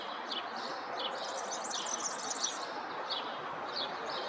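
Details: A small bird sings in a thin, high chirping series, with quick twittering notes and short bursts coming several times a second over a steady background hiss of outdoor noise.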